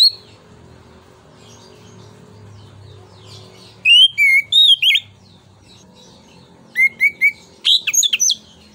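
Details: Orange-headed thrush song for stimulating other birds: faint murmur and hum, then two bursts of loud, quick, sliding whistles and chirps repeated in short sequences.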